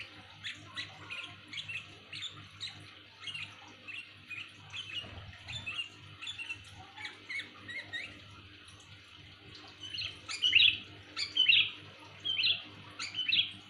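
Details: Sooty-headed bulbul calling loudly, suited to luring birds: short chirpy whistled notes repeated about once a second, soft at first, then louder, sharper doubled notes toward the end, over a faint low hum.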